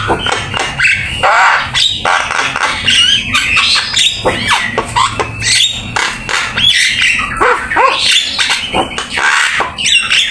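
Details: Javan myna singing energetically, used as master song for training: harsh grating squawks, nasal chatter and quick downslurred notes packed tightly together, with a faint low hum behind.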